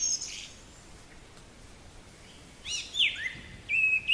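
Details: Black-capped chickadee song: a clear whistled note sliding downward, followed after a short pause by a lower, steady whistled note, with faint high chirps from other birds at the start over quiet outdoor background.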